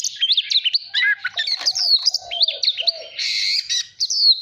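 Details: Oriental magpie-robin song used for voice training, meant to spur birds into competitive singing: fast varied high whistles, rising and falling slurs and chirps, with soft lower whistled notes beneath.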